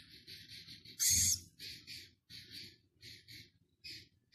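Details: Six-day-old Philippine scops owl chick at Prague Zoo, part of a breeding and rescue project; gives repeated soft, hissing, raspy bursts with one louder, sharper hiss near the start, spaced about half a second apart.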